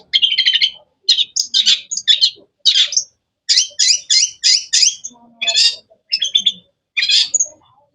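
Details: Long-tailed shrike (cendet) giving sharp, varied chirping song: a rapid run of buzzy, bright bursts in quick clusters, with brief pauses between groups, against a quiet background.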